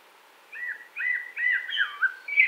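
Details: Part of a Common blackbird phrase recorded near Wittlich in 2018, with a run of mellow, wavering whistles and a sharper high note at the end.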